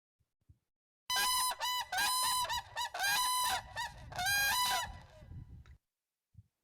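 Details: Whooping crane pair giving a unison call, two birds calling at once in overlapping fashion: loud, ringing, trumpet-like whoops in rapid overlapping bursts for about four and a half seconds.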